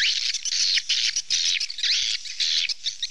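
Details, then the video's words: Swallow calls: loud, high, buzzy chirps, each dropping in pitch, delivered in quick bursts with brief pauses between. "เสียงนกนางแอ่น Swallow Sound"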